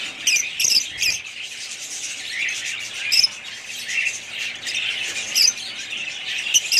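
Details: Several budgerigars chattering together, with a dense, continuous warbling of high chirps and scratchy notes broken by sharper squawks near the start, around three seconds and toward the end.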